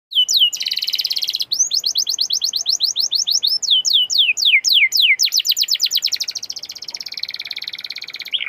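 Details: Canary song used as a prompting recording to make canaries sing more: rapid rolling trills of high repeated notes, a dense buzzy stretch, then a series of sharply descending whistled sweeps before faster trills resume.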